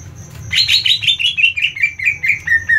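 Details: Agitated 'ngentrok' song of a greater green leafbird, used to rile other leafbirds: a rapid run of bright whistled notes, each slurred and slightly lower than the last, descending steadily over about two seconds, with a faint background hum.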